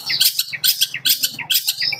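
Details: Young long-tailed shrike about six months old, a caged contest songbird praised for fast, dense delivery; rapid scratchy chattering notes in quick bursts, high-pitched and continuous, with a low hum underneath.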